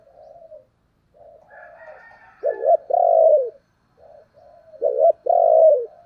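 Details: Spotted dove kept as a decoy to call in wild doves: quiet wavering coos build into a loud clipped note and a long, falling coo, twice over.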